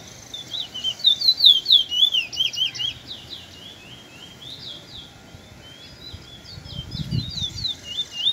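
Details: Afternoon song of a young Trinidad bullfinch, a quick series of sweet, high whistled notes rising and falling for about three seconds, then fainter twittering phrases against a soft background hiss.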